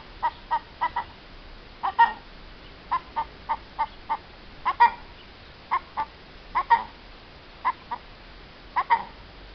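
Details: Hen heard in April 2015 clucking steadily, short notes in small clusters with a few louder, longer ones among them, over faint hum.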